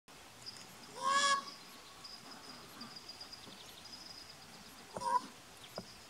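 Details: Common raven giving soft quork calls at Point Reyes National Seashore on 26 June 2016: two short, low, hoarse calls several seconds apart, each a brief throaty note, amid quiet outdoor ambience with faint distant high bird notes.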